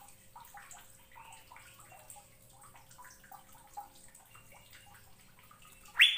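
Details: Asian fairy-bluebird master recording, used to prompt other birds to sing, gives a quick, busy run of short liquid chirps and whistles, with a steady low hum underneath and a sudden loud burst at the end.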